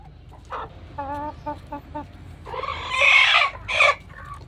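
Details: Rooster making a strange warning-like sound when sensing danger: a run of short evenly spaced clucks, then loud harsh screeching squawks building up and breaking off near the end.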